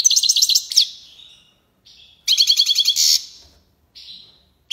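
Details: Goldfinch delivering tiwawati and lipassade song phrases: a short rapid twitter with a harsh buzzy note, softer thin calls, then another fast tinkling burst and a bright buzz, with brief quiet gaps between.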